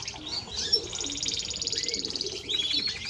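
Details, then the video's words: Timbrado Español canary delivering a fast, even, high-pitched trill that runs on steadily, broken by a short whistled slide, over soft low background murmur. "Timbrado Español Canario song - Canario Cantado"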